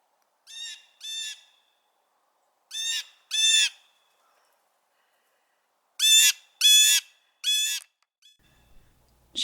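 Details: Wild female jay calling in the morning to let her mate know she was there, after greeting excitedly; harsh, raspy calls with rich overtones come in pairs and a triple burst, separated by short silences.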